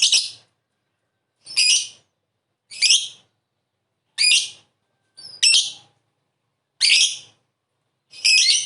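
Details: Lovebird calling, used as a lure to prompt a reply: harsh, high, buzzy chirps given singly, about one every 1.3 seconds, with silence between them.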